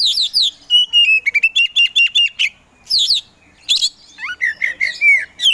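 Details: Kacer poci, a captive Oriental magpie-robin kept for songbird contests, singing energetically: fast sweeping whistles, staccato repeated chips and rising-falling warbles packed into dense, varied phrases.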